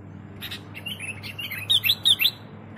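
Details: Sooty-headed bulbul singing for luring: soft chirps building into a short, loud, bubbly phrase of four bright whistled notes near the end, over a low background hum.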